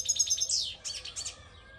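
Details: European goldfinch in Albania singing a quick, high tinkling twitter with one downward-slurred note midway, then more liquid trills fading out.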